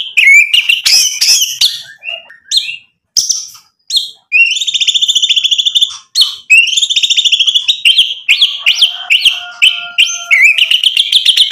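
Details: Energetic white-rumped shama song packed with mimicry, meant to agitate other shamas so they answer. Varied phrases of rising whistles, buzzy stretches and rapid note bursts close with a few long, steady tones.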